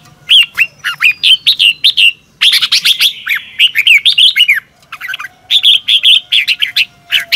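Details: Morning training song of a red-whiskered bulbul used to teach other birds; rapid loud bursts of ringing whistled notes in quick phrases separated by short gaps.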